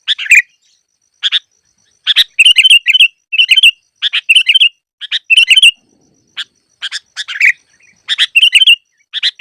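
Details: Sooty-headed bulbul song used as a lure for trapping: chattering bursts of bright chirps with slurred whistles, grouped in phrases with gaps of one to two seconds, clean background.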